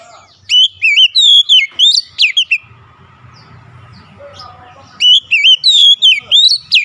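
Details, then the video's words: Vigorous kacer (Oriental magpie-robin) singing meant to restore a stressed bird. A run of bright, looping whistles and quick slurred notes, a quiet pause with a faint low hum, then another lively phrase. "PEMULIHAN AMPUH KACER SETRES LANGSUNG GACOR"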